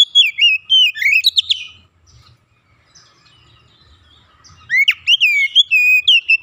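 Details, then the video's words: Untrained oriental magpie-robin (kacer bahan) in a training session, singing actively and showing off its learned repertoire (isian): a burst of sweeping, slurred whistles, a quiet pause, then a fast run of rising and falling whistled notes over a faint low hum. "Kacer bahan langsung gacor bongkar isian"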